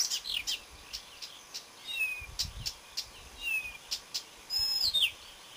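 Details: Marsh warbler recorded on 30 May 2010: a varied, jerky high song of short clicking ticks, sharp chips and slurred descending whistles, ending in a brighter twisting phrase, over a soft background hiss.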